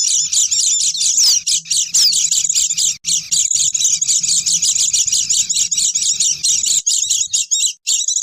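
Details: Lure recording of Oriental white-eyes for attracting wild birds: unbroken, high, excited twittering with occasional sliding whistles and a faint steady low hum.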